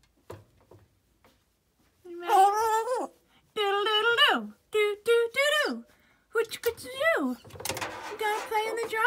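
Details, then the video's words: Green-winged macaw, a pet drawn to the washer and dryer during housework, sings drawn-out, tuneful wails sliding up and down in pitch in bursts about a second long, with household thumps and a person's voice nearby. "Greenwing Macaw Singing"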